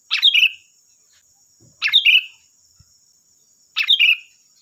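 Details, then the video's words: Lure song of a sooty-headed bulbul meant to prompt other birds to reply: three short, liquid phrases, each a rapid flourish ending in a falling slur, spaced roughly every two seconds against a constant thin hiss. "Suara burung Kutilang Gacor || Suara pancingan Kutilang bahan"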